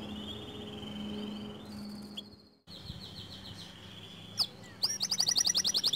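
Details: White canary lure song for prompting other canaries to sing, recorded quieter with background hiss: a sustained high whistle-like tone that steps higher, a pause, then sweeping notes and a quick trill at the end.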